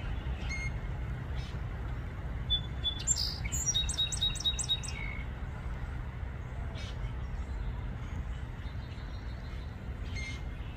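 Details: Song sparrow in Farmington, Connecticut, gives one bright song phrase of sharp opening notes, a quick trill and a closing buzz, over a steady low rumble of wind or distant traffic.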